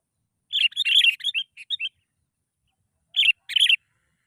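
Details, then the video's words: Lure recording of a sooty-headed bulbul, meant to prompt other bulbuls into song: a quick, jumbled string of chirpy notes for about a second and a half, then two short separate chirps after a pause. "PANCINGAN BURUNG KUTILANG. Males Bunyi Auto Langsung Bersuara.."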